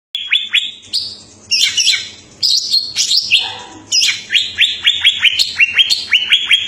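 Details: Greater green leafbird (cucak ijo) singing vigorously: quick series of bright, high whistled notes that sweep downward, several rapid chirps grouped together, separated by harsher buzzy bursts, with a dense run of descending slurs near the end.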